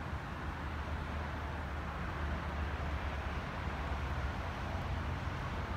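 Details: Low, continuous rumble of distant traffic or wind, with no bird or other animal audible.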